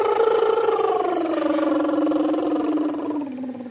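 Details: A parrot on a staircase, singing and talking, sings one long, voice-like note, clearly harmonic, sliding gradually lower over about four seconds; laughter, music and applause around it. Parrot.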